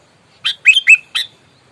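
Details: Sooty-headed bulbul in fighting mood: four quick harsh notes, the middle two carrying bright whistled slurs, in a clean quiet setting.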